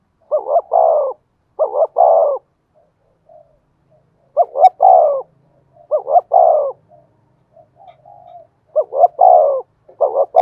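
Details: Low, mellow cooing from a spotted dove used as a decoy, 'thổ' voice style: repeated phrases of one or two short notes leading into a longer rolling coo, about every two seconds, in a quiet setting.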